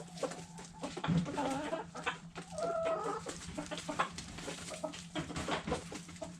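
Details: Backyard hens over food scraps, drawn-out harmonic clucks and a low murmuring call among pecking noises.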